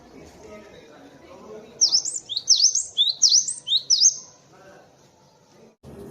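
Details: Cinereous tit, presented as a master recording for training birds: four clear, high, rapid phrases of swooping whistled notes over about two seconds, preceded and followed by a quiet, low background rumble.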